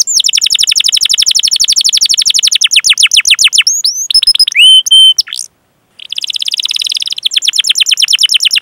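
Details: Canary song used as a training lure for young or silent canaries: a long fast trill of falling notes, flat whistles and buzzy sweeps, a brief silence, then a dense buzzy roll.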